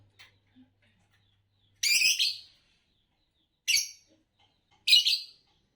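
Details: Green Fischer's lovebird, a type said to sing long songs and win Indonesian bird song competitions, uttering three rasping broadband chirps spaced one to two seconds apart after faint short notes, otherwise quiet.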